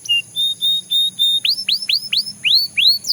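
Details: Five flat, clear whistled notes from a Belgian canary, each about a fifth of a second, followed by seven arched swooping whistles repeated several times a second.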